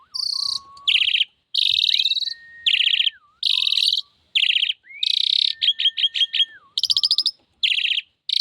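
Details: Actively singing female Javan pied starling, pumping as she sings: loud harsh buzzy bursts alternating with long level whistles and wavering low notes, plus a run of rapid clicking notes, delivered in a steady, almost continuous stream.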